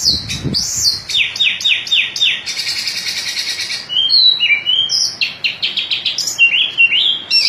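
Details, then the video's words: Oriental magpie-robin delivering a swirling, looping song: a series of repeated downward-slurred whistles, then a buzzy rattling stretch, followed by sweet rising and falling whistles and sharp chips. "Burung kacer dada putih ngobra gaya muter muter"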